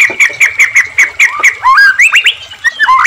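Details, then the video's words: White-rumped shama in full, loud ngeplong song, used as a lure to stir captive shamas into singing: a bright note repeated about seven times at a steady beat, then a run of rising and falling whistled phrases. "murai batu gacor AMPUH buat PANCINGAN murai agar RAJIN bunyi JADIKAN murai gacor EMOSI ngeplong"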